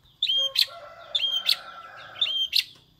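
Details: Long-tailed shrike gives a prinia-like song: three high, drawn-out whistles, each ending in a sharp, buzzy crackle, repeated about once a second over a steady low hum.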